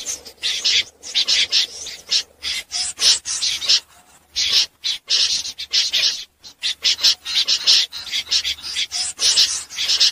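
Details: Common snipe at night, a lure sound for net trappers: rapid harsh scraping notes in uneven bursts separated by short gaps.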